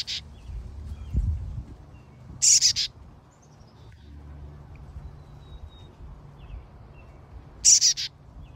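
A chickadee fledgling gives three brief, harsh, buzzy high calls spaced a few seconds apart over a low background rumble.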